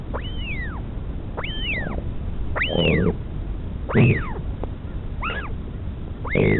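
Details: Feeding at a northern royal albatross nest near Dunedin, New Zealand: repeated arched whistles about a second apart, several accompanied by low rough bursts of noise, ending in shorter clipped notes.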